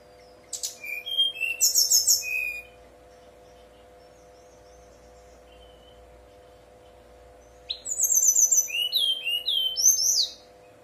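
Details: A brown-chested jungle flycatcher 'nyuling' lure song to get other birds calling: a phrase of high buzzy trills and thin downslurred whistles, about five seconds of near silence, then a second lively run of rising and falling high notes, steady low hum.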